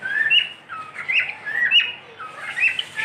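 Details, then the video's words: Domestic cockatiel whistling: a run of slurred, rising-and-falling whistled notes, four or five phrases in quick succession with brief pauses between them. "My cockatiel | beautiful Whistling"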